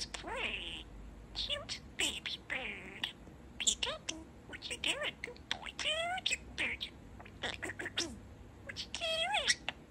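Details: Pet budgerigar, a male, talking and chattering, saying "Tada Sunshine" among rapid squeaky syllables, harmonic rising and falling speech-like notes and brief clicks, with short pauses between bursts.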